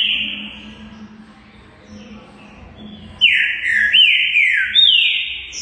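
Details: Trinca-ferro, or green-winged saltator, in full song: a first whistled downslur, a quieter stretch with a low hum, then a loud run of three or four linked descending whistles with sharp upward flicks between them.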